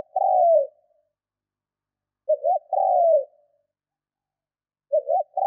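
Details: Decoy spotted dove cooing during training to provoke wild doves: a long mellow descending coo, then a quick two-note stutter followed by a drawn-out falling coo, a new phrase starting at the end; no other sounds, silent background.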